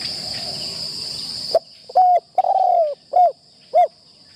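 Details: A spotted dove decoy in its first session at a trapping enclosure calls after a noisy opening. It gives a clear series of four mellow, slightly descending coos, the third longest, over a steady high insect-like whine.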